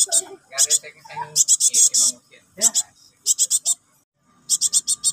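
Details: Young cinereous tit nestling calling for its parent. Sharp, high, buzzy notes come in fast clusters of three to five, with gaps between them. Lower murmuring, possibly a voice, is heard faintly in the first half.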